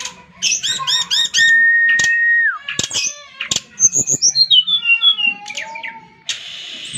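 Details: Brown-chested jungle flycatcher song opening with rapid repeated looping notes, then a long clear whistle that drops at the end. A descending series of high twittering phrases and sharp clicks follows.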